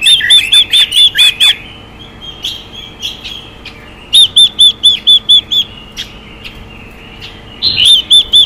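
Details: A female Chinese hwamei calls to provoke a male. Bright, evenly spaced whistled notes come in runs of five to seven, with scattered softer chirps between the runs.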